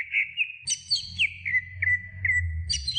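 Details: Greater green leafbird singing for a training recording: a short stretch of bright whistles, drawn-out level tones broken by sharp downward slurs, plus a low background rumble.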